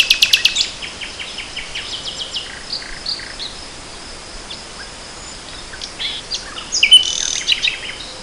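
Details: Nightingale singing in spring 2014: a loud burst of repeated high notes opens, then quieter varied chirps and whistles drift through a long softer passage before a brief bright, buzzy flourish near the end.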